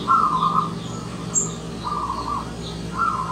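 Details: Wild zebra dove arriving as a guest, uttering three trilled, bubbling coo phrases at roughly one-second intervals over a low background hum.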